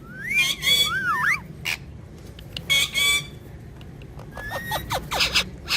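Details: A pair of pet talking parrots: looping, wavering whistles and a loud raspy burst, a quiet pause, then a thin level whistle and quick descending squeaks.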